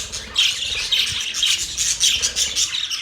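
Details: Budgies chirping: a dense, unbroken stream of high, squeaky chirps and twittering notes, overlapped by short harsh squawks that rise and fall every half second or so, with no pauses and no other clear sounds.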